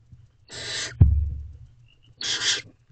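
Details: Barn owl female with owlets in a nest box around midnight, feeding time. Two broad rasping hiss-screeches a second and a half apart, separated by a sharp knock from movement in the box.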